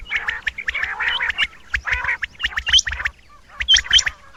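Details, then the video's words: Several rain quail, males calling and a female present, give dense bursts of clipped, metallic notes and rough chattering. A short pause comes near the end before the quick repeated notes return. "Rain Quail (Coturnix coromandelica) - Males calling"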